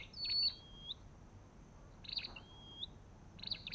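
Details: Olive-backed tailorbird: a loud high whistle with sharp clicks, then a long low level whistle, the phrase repeated twice more with quiet gaps between.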